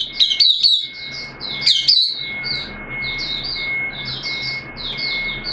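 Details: A caged white-eye sings on 13 September 2022, second day of its deworming course: two bursts of high squeaky chirps, then a lower-volume, continuous thin warble, with a steady faint tone behind.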